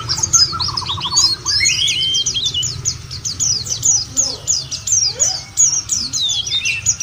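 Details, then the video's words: White-eye song used as a lure to spur caged white-eyes into singing: rapid, high, jumbled twittering with thin rising and falling notes, an early lower trill, faint voices and a steady low hum beneath. "jangankan pleci burung lain aja pada gacor"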